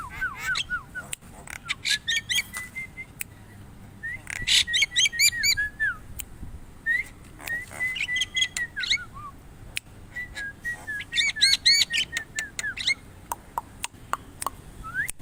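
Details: Javan myna singing in phrases of rapid harsh, crackling notes broken by drawn-out level whistles and slurred whistled glides, repeated in bursts with brief pauses between.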